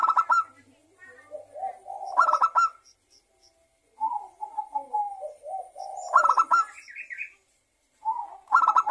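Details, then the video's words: Zebra dove, local and Bangkok perkutut, song used as a lure to set other doves singing: soft wavering coos mixed with loud buzzy clustered bursts that come every few seconds, with short quiet gaps between phrases. "Pancingan perkutut lokal agar bunyi dalam 1 menit perkutut lokal dan Perkutut bangkok langsung GACOR"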